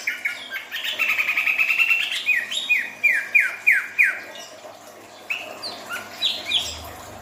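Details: Greater green leafbird in heightened breeding condition, eager to mate, singing bright whistled notes: a held, wavering phrase, then a quick series of sharp downslurred whistles, followed by scattered higher chirps and slurs.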